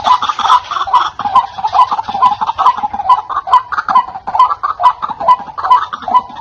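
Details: Loud white-breasted waterhen call for luring wild birds: harsh, nasal croaks repeated quickly and steadily, over two per second, throughout.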